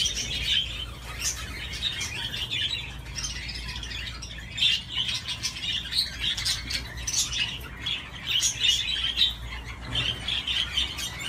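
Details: Budgerigar playing on a swing, heard as softer intermittent chattering and clicking with occasional louder squeaks, along with light tapping and a low background hum.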